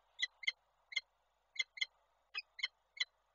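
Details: Nest-camera recording from Koszalin, 28 January 2024: a female peregrine falcon calls during a visit from the male, giving sharp, bright, harmonic calls, often doubled, eight in roughly three seconds over a soft background hum.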